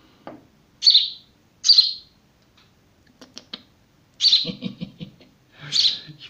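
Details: A found young house sparrow being hand-raised at home: sharp, high chirps in short bursts, about five across the stretch, with soft handling clicks and rustles in between.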